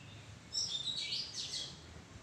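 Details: Oriental magpie-robin in a tree thicket, giving a brief bright phrase of high whistles blending into a rich burst of notes.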